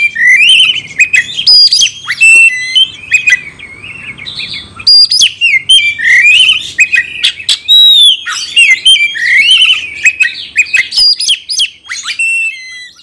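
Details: Oriental magpie-robin delivering fighting-style song: a long run of bright, varied whistles, sharp chips and mimicked twitters, rising and falling notes packed closely together, with a brief softer lull near the middle before the song resumes strongly.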